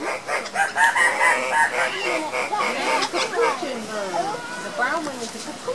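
Several cock-of-the-rock birds at a lek give loud, nasal squawks that overlap, some rising and some falling. A person's voice is faintly heard.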